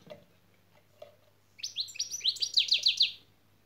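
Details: Goldfinch şak şak phrase heard during a lesson: after soft knocks, around ten crisp, high, upswept notes are delivered rapidly and get louder toward the end of the run.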